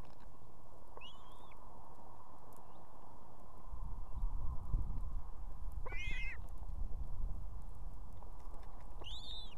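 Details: Evening in Estonia: a nesting female osprey with two chicks calls the male to fetch food, giving three whistled, arched chirps roughly four seconds apart, the middle one loudest, over a rumbling background.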